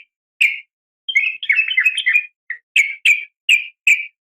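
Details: Yellow-vented bulbul female calling to a male, giving a quick series of bright, slurred chirps and a jumbled chattering phrase followed by evenly spaced short notes about every half second.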